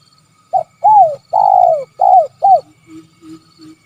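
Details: Spotted dove (tekukur) giving its 'Kuk 3' calling style: five loud, hollow coos that slide downward, the middle one long and drawn out, followed by three soft, short, low notes in quick succession. The surroundings are quiet.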